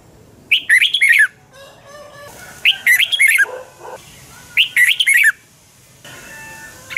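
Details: Red-whiskered bulbul, double-twist voice, singing in the morning as a decoy for training other bulbuls. Three bubbly, twisting phrases about two seconds apart. Soft background hiss between them.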